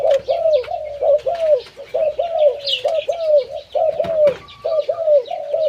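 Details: Zebra dove with a loud voice, giving a steady run of short, slightly falling coos about once a second. Faint high chirps of other small birds sound in the background.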